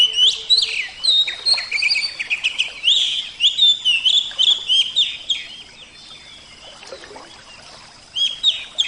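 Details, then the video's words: Captive Javan-type oriental magpie-robin in full song, rapid varied whistles, slurs and chatter for several seconds, then a quieter stretch before short bright notes return. "terapi kacer suara air"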